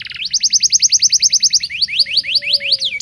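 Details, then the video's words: Local canary song, lively and continuous, used to teach young canaries to sing: a fast run of rising whistled notes about five per second, then slower upswept chirps, with a faint low hum underneath. "Suara Burung kenari lokal super gacor bagus untuk pancingan kenari belajar bunyi"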